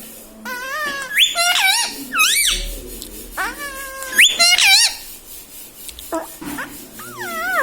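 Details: Green ringneck pet parrot talking indoors, saying mummy, papa and radhe: two bursts of rapid, wavering squeaky syllables around one and four seconds, then softer rising calls near six and seven seconds, with faint room noise.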